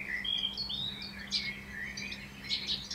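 A common blackbird sings, running fluty, warbling phrases into high, squeaky twitters, with little pause between them. A faint low hum runs underneath.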